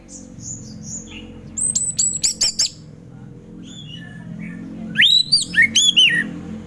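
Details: Ngeplong-style orange-headed thrush song for prompting lazy thrushes to sing: high thin whistles, a string of sharp clicking notes, then looping rising and falling whistled phrases over a low background drone.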